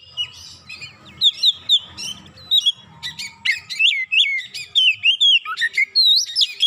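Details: Oriental magpie-robin stirred up by one provocation, singing its isian: repeated bright whistled notes, each bending up or down, then quicker chattering phrases with frequent swoops, steady and loud throughout.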